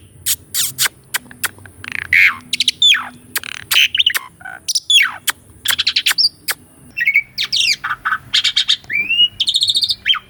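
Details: Master song of a caged Asian pied starling, rich in rolling and pumping variations: sharp clicks and stuttered notes, short buzzy phrases, then a rising whistle near the end, with brief pauses between bursts.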